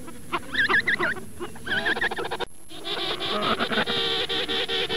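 Penguin calls: harsh, nasal, rapidly pulsed notes that build into a long, braying series.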